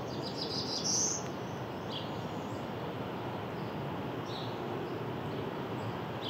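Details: An uncommon Blue-winged Warbler in flowering trees at Mount Auburn Cemetery, Cambridge, Massachusetts, in early May, sings an insect-like, exhalation-like song: a thin, high buzz, then a lower, drier buzz, with faint repeats later over steady hiss.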